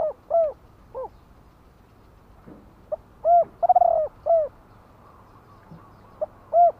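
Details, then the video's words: Spotted dove singing in the Thai two-note 'kuk-ku' style. Low, hollow arched coos come in scattered phrases, one with a rolled, stuttering note, set against a faint steady background hum. "นกเขาใหญ่ !!! 2 กุ๊กคูอ่างจัดเชลยคารม"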